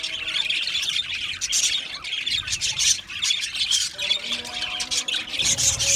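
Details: Many Australian budgies in an aviary colony chatter nonstop: high, scratchy warbling and clipped chirps overlapping densely, with a few brief squeals standing out above the crowd.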